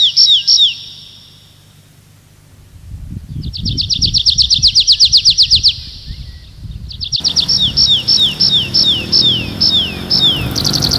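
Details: Night forest nightingale alternating sharp whistled notes with a sustained fast high trill of repeated clicks, followed by a run of emphatic downslurred phrases over a low rustling background.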